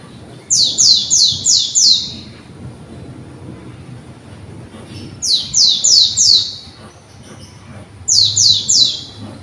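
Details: Young white-eye from conservation breeding, still learning its song, gives three short bursts of four or five high, buzzy, descending notes, spaced a few seconds apart against a quiet background.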